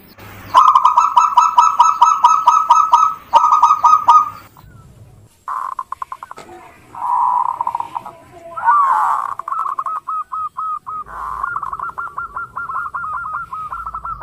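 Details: Local zebra dove song meant as a lure for other birds: long bouts of rhythmic coos, first steady and evenly paced, later broken into sliding and hooked notes, with short pauses between phrases.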